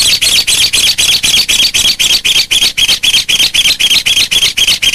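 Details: A pair of ncuab birds calling: harsh, buzzy high notes repeated steadily about four times per second through the whole stretch, with no other clear sounds.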